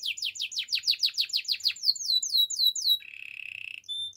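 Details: Gloster canary singing, used for training canaries to sing: fast series of descending whistled sweeps repeated several times a second, shifting to rising slurred notes, then a brief dry buzzy trill and a thin high note.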